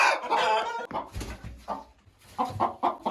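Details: Roosters and hens: a loud, harsh crow opens, then short clucks follow at irregular intervals against low rumbling background noise.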